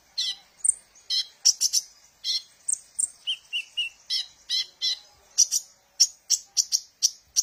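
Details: Sunbird singing, used as a lure for training birds: a busy stream of thin, high tweets and short slurred notes, speeding into a rapid series of sharp chirps near the end.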